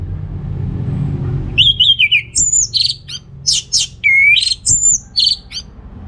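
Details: Orange-headed thrush in full continuous song, played as a lure for males lacking breeding drive: after a quiet low hum, a rapid run of varied high whistles, sharp slurred notes and short buzzy phrases, loud and unbroken.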